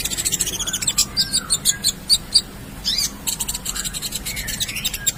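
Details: Ruby-cheeked sunbird (konin) singing a busy gacor song full of isian for masteran: quick chattering clicks, bright high chirps and some faint sliding whistles, almost continuous.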